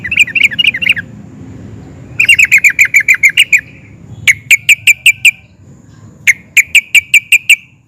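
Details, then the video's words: Sooty-headed bulbul in an excited mood, rolling and nguplik singing to draw replies from other bulbuls: fast clustered chatter, then a rapid trill, followed by two spaced series of about six sharp clear notes each. "Kicau Trucukan Gacor Emosi NGUPLIK DAN NGEROL, bikin SEMUA JENIS TRUCUK YANG DENGAR AUTO NYAUT GACOR"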